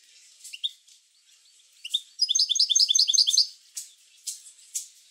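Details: Song of a European goldfinch, meant to spur other goldfinches into singing: a few thin chirps, then a dense, rapid burst of tinkling, twittered notes, and more scattered chirps.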